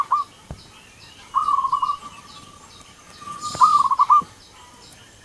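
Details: A local zebra dove among birds calling in turn, heard at a distance: short rolling trills of coo notes, separated by pauses, over steady background hiss.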